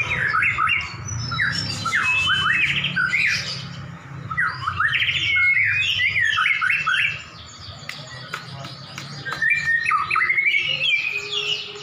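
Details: Two champion white-rumped shamas brought together to duel: loud, varied whistled phrases and sharp upslurred notes in bursts, with a short lull midway, over a steady low hum.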